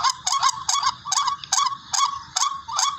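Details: Tikling, the barred rail, calling as a bird-hunting lure: raspy, rising nasal notes, sometimes doubled, given in quick bursts with short gaps over three seconds. The call is known locally as "ruak ruak".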